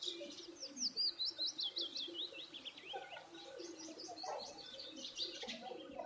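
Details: Feeding birds start with a rapid series of bright, descending chirps repeated quickly, then give scattered softer tweets and a short squeaky note, over a low background hum.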